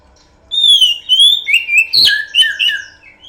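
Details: Oriental magpie-robin song used as a lure: after a brief silence, loud, rich whistled phrases start, including a clear descending whistle, then sliding notes and a sharp burst near the middle. Varied phrases continue to the end.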